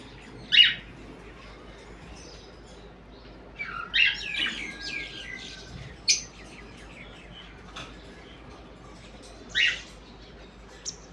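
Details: Parrots in the morning uttering sharp, scratchy chirps and a cluster of rough notes around the middle, then one more loud squawk, separated by quiet gaps.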